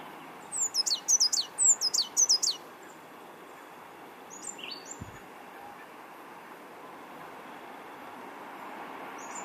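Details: African blue tit, Cyanistes teneriffae, an injured bird missing an eye and a leg, singing and calling back on a windy day: a quick series of high, sharp down-slurred notes repeated about eight times, then softer scattered notes over steady wind.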